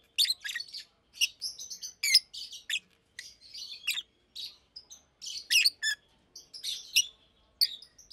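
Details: Two adult Fischer's lovebirds, almost two years old, one pastel green and one blue with a white head, normally kept in large cages, chirping by day: bursts of sharp high chirps and squeaky twitters separated by short pauses.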